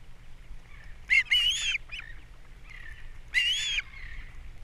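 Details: ['Nesting osprey on Captiva, 3 April 2022, male bringing fish while the female feeds the young: two loud harsh squealing bursts about two seconds apart over a faint, quiet background.']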